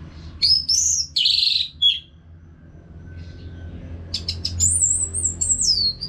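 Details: Orange-headed thrush in full song, used to coax caged birds into singing. Loud rich warbled phrases open the stretch, followed by a lull over a low background hum, then a long high whistled note that slides downward.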